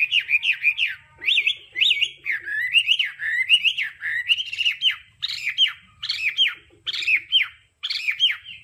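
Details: A Hwamei sings a loud, varied song of switching notes used for voice training: rich whistles and slurred up-and-down phrases repeated almost without pause, with faint lower chatter behind.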